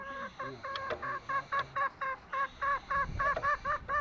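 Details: Lombok green junglefowl calling in quick, evenly spaced clucks, roughly four per second, each note short and nasal with bright overtones; a faint low thump partway through.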